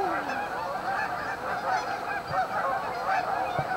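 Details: Massed Canada geese at their staging area on Amber Trails Lake, Winnipeg, calling in a constant blended honking chorus, with a drawn-out falling note at the start and soft thumps later.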